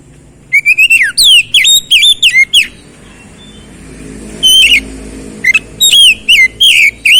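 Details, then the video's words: Oriental magpie-robin in full song: rapid sequences of loud, clear whistles with sharp downward slurs, a quiet break, then another energetic string of varied whistled phrases. "KICAUAN KEMBALIKAN KACER MACET BUNYI CEPAT GACOR"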